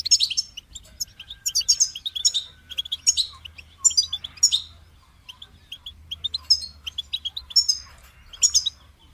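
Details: Goldfinch song: rapid bouts of high twittering and bright whistled trills, repeated in bursts about every second, with brief quiet spells between them.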